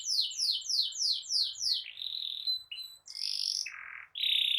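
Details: Canary singing as a lead for other canaries: six repeated steeply falling whistles, then varied notes including a steady mid-pitched tone, a harsh burst and a lower rasping note.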